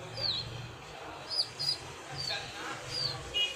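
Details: Young pigeon chicks chirping in the morning: thin, high, falling squeaks repeated irregularly, some paired closely, over a low steady hum.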